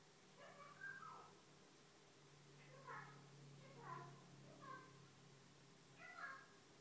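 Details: Female Eclectus parrot chattering to herself in the morning after waking, a quiet run of short, speech-like murmured bursts, about five syllable groups spread across seven seconds with pauses between, over a low steady background hum.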